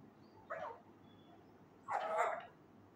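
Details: Male Indian ringneck parakeet learning to talk gives a soft, short utterance, then a louder, longer, speech-like syllable after a pause.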